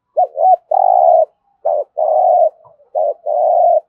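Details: Spotted dove in thúc gù cooing style, low mellow notes: a quick double hoot leading into a long sustained coo, repeated three times at a steady pace.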